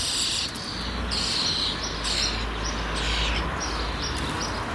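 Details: Young common starlings close to fledging give harsh, raspy, hissing calls in bursts of about half a second, repeated steadily over a constant background hiss and hum.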